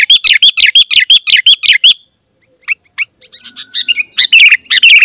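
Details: Sooty-headed bulbul singing energetically, used to call wild birds of its kind as rivals: a fast run of bright chirped notes, about eight per second, then a pause, then scattered notes building into a louder burst of twittering.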